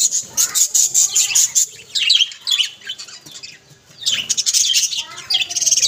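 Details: A group of budgerigars warbling: bursts of rapid, high, buzzy chirps pulse in quick runs, pause briefly, then resume in busy overlapping chatter.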